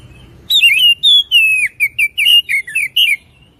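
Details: Loud whistled song of an oriental magpie-robin: a quick string of about ten clear, varied notes, some sliding down, some flat and sustained, delivered without pause.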